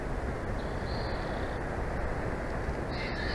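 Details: Bald eagle at a nest in Big Bear Valley, filmed by a live nest camera on 4 June 2024 at 14:35, gives a thin drawn-out high whistle, then another sharp high note at the end, over steady loud wind roar.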